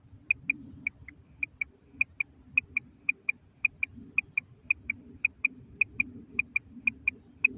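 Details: Female common quail giving a steady run of short, sharp, clicking notes, mostly in close pairs, repeated roughly every half second over a faint low hum; recording tied to quail netting.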